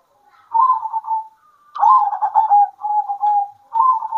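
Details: At midday, local zebra doves answer each other with bursts of soft, rolling coos and quick trilled notes that run into steadier drawn-out cooing, several overlapping phrases in quick succession.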